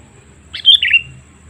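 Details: Lure call of a sooty-headed bulbul meant to attract wild birds, a lively short phrase of sharp high notes dropping into a bubbly lower tail, heard once against a faint low hum.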